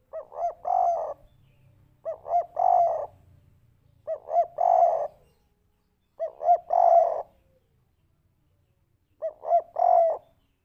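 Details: Spotted dove, kuk 3 lure played to draw a response. Five evenly spaced phrases, each two quick rising coos and a longer full coo, repeat roughly every two seconds in quiet surroundings.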